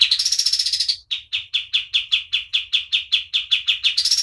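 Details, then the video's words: White-eye (kapas tembak) singing energetically: a high, dense trilled burst for about a second, then a rapid run of sharp, clipped chirps repeated steadily, ending as another high trill begins. "KAPAS TEMBAK GACOR DOR"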